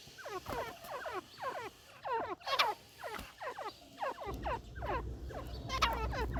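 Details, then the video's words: Partridge (teetar) calling: a rapid series of sharp, squeaky notes that slide downward, delivered in quick bursts of two to four, with brief pauses between bursts and a low rumbling background in the later part. "Teetar ki sounds"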